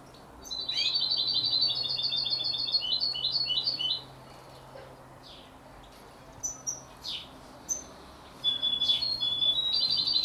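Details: At 33 days old, a canary x European goldfinch hybrid sings a dense, fast high twitter for over three seconds, followed by isolated chirps, a thin whistle and a renewed burst of twittering.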